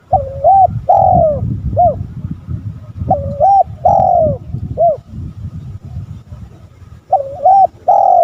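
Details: Spotted dove calling to draw rival males, repeating its mellow cooing phrase three times: a paired coo, a long falling drawn note, then a brief final coo, over steady low background rumble.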